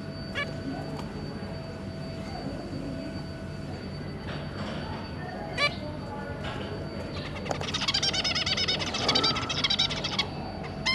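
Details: Zebra finch pair with three juvenile babies, recorded 2 August 2022; a few soft isolated nasal calls at first, then a dense, excited chatter of overlapping beeping calls toward the end.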